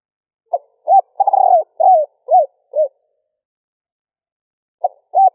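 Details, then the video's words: Female spotted dove stutter-cooing to stimulate males: a quick note, a hoot, a long quavering coo and three falling arched coos, then silence before the phrase restarts with two notes. "Tiếng cu gáy mái gù gáy kích bổi nhanh gáy / Chim cu gáy mái 3 hậu gù cà lăm / cu mái kích bổi"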